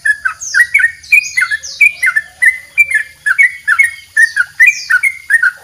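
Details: Yellow-vented bulbul in a long double rolling song, recorded as a master for training songbirds. Quick bubbly two- to three-note phrases follow one another rapidly, and sharp high downslurred notes from another bird cut in.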